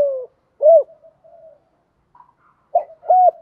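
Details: Spotted dove calls meant to stimulate doves. A falling coo and an arched coo are followed by faint soft murmurs, then a short pair of low, mellow coos. The setting is quiet.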